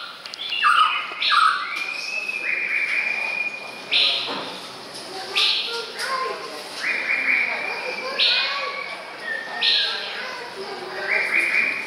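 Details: A male white-rumped shama, recorded 24 May 2014, gives a continuous flow of whistled notes: flat sustained tones alternating with brief high jumps and falling slurs. A steady broadband hiss lies beneath.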